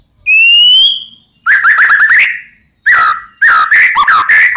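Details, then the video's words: White-rumped shama singing to make rival birds answer: a long, pure rising whistle, then a dense chattering phrase and a series of fast, slurred whistled notes. "Ampuh Buat Murai Lain Terpancing Emosi Seketika Insyallah Langsung Nyaut"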